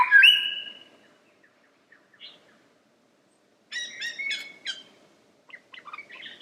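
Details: Lyrebird singing a loud whistled note, then quiet scattered chirps and a chattering, stuttering phrase of mixed notes, trailing into faint calls.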